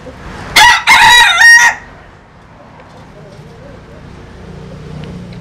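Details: Bantam rooster, a cross of a Japanese bantam hen and a Cuban bantam cock, crowing vigorously: one loud, harsh crow of about a second in three joined segments, followed by a quiet background with faint rustling.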